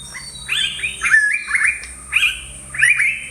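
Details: Sri Lankan yellow-browed bulbul calling in a quick series of bright, slurred, warbling notes, about five phrases in three seconds, over a constant thin high hiss.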